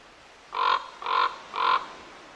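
Common Raven giving three harsh, hoarse croaks, evenly spaced about half a second apart, each short and nasal, against a quiet background.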